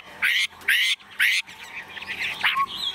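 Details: A very tame caged Chinese hwamei, newly arrived and unafraid of people, has its cage shaken. It gives three loud, harsh, rasping bursts about half a second apart, then a softer run of varied chattering and whistled notes.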